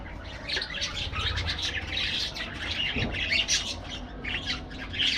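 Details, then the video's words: Continuous busy chatter from aviary parakeets: overlapping high chirps and scratchy notes with no real pause, over a faint low drone. "parakeet sounds"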